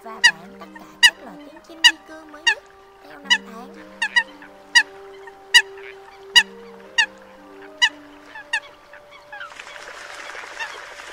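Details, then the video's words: A lone Eurasian coot, separated from its flock, calls during the 2022 night migration season: clipped, explosive notes spaced about a second apart over faint steady tones, then a rush of hissing noise at the end. "Tiếng Sâm Cầm Bản Đạp Nước Kêu Lẻ Bầy"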